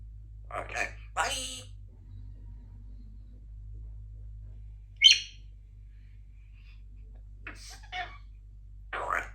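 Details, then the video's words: A female Congo African grey parrot practises her words and sounds on a busy morning, running through short speech-like phrases and sharp whistles in separate bursts, with a steady low room hum behind. "practices her words and sounds"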